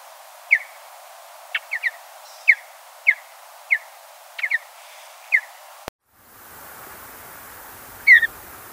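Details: Short falling whistled notes from a mountain bluebird in natural habitat, given singly or in quick pairs about every half second. The sound breaks off abruptly, then a single note follows over louder background noise.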